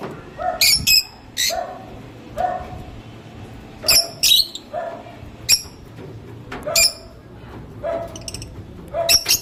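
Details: Lovebird calling with sharp, high-pitched shrieking chirps repeated every second or so, mixed with lower, shorter nasal notes between them; low background hum.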